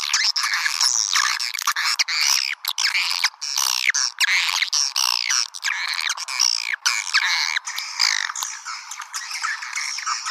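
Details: Lure call used to draw swiftlets in: a thick chorus of rapid chattering chirps and squeaky twitters, almost unbroken for the whole stretch.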